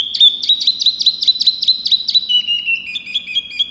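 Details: Small pygmy cupwing in full loud song gives a rapid train of about a dozen high ringing chips, then slips into lower, softer twittering whistles.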